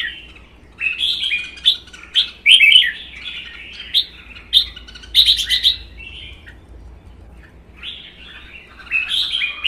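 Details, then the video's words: Red-whiskered bulbuls in a contest duel, two caged birds, one a wild-caught adult of one season: rapid, rich warbling bursts in quick succession, a pause, then more chattering phrases. "CHÀO MÀO | Hót đấu kích ché"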